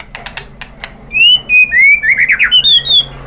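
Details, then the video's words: White-rumped shama singing as a lure, female calling a male; after soft clicks, a loud run of whistled notes, slurred downward then rapid warbling phrases, ending on a high clear whistle. "KICAUAN MURAI BATU merangsang BUNYI jadi EMOSI NYAUT GACOR NGEPLONG BONGKAR ISIAN ¦ PANCINGAN MURAI"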